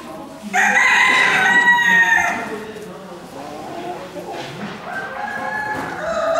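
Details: Chicken crowing at a Normandy poultry breed championship held in a covered poultry market hall in Gournay-en-Bray, France, in December 2016: one loud, harsh, drawn-out crow, followed by clucking and murmuring voices in the hall.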